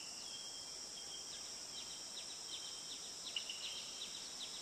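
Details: Blue-and-yellow tanager song, a fast series of short, sharp, high descending notes after a thin sustained tone, partly masked by constant shrill insect buzzing.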